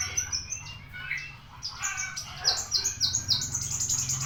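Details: Javan bushlark recorded on 24 September around ten o'clock, pouring out rapid high chirps that give way to a fast series of bright repeated notes, several per second, over a faint low background hum.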